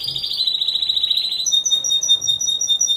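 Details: Timbrado Español canary singing at a song competition and show on 26 November 2015, individual category. A rolling, bubbling trill shifts into a steady, high, pure whistled note held for about a second and a half.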